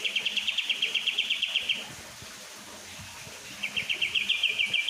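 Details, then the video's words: Kapas tembak songbird singing a lively song, offered as a master recording for tutoring murai batu, kacer, cucak ijo and cendet: rapid, high chattering trill held for about two seconds, then a pause, then a second trill starting. "kapas tembak gacor I burung masteran"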